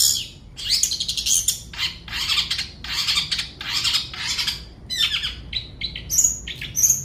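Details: Long-tailed shrike giving a continuous stream of rasping, squawky chatter in short repeated bursts, ending with a few thin, piercing high whistles; nothing else clearly audible.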